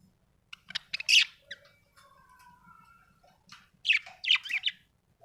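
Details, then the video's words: Budgerigar chirping happily: a few sharp chirps, a soft drawn-out warbled stretch, then a cluster of loud scratchy chirps near the end, over a faint low hum. "happy budgie chirping sound"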